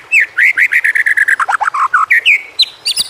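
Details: White-rumped shama song played to get idle shamas singing: a rapid run of loud clear whistled notes, mostly even in pitch, with dipping and rising phrases and a final high sharp note.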